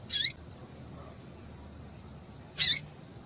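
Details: Calling female double-collared seedeater, the calls used to get a male worked up: two brief, high, downward-curling chirps roughly two and a half seconds apart, with steady faint hiss between.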